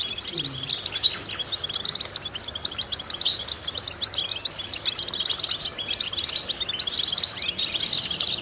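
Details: European goldfinch vocal exercise song, rapid twittering interspersed with sharp bright whistles and buzzy runs, sustained over eight seconds above a steady faint hiss.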